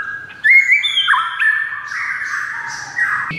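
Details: White-rumped shama singing rich, sustained whistles that bend up and down, with fuller warbled notes in the middle and a louder phrase at the end.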